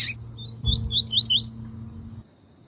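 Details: Double-collared seedeater (coleiro), tui tui song style used by breeders to train and warm up males for song tournaments: a quick run of five or six bright, rising whistled slurs over a steady low hum, ending abruptly.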